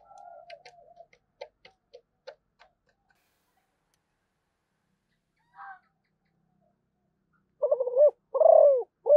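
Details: Malaysian zebra dove: soft clicking taps and a faint murmur open the recording, followed after a silence by a stuttering burst of coos and a longer falling coo at the close.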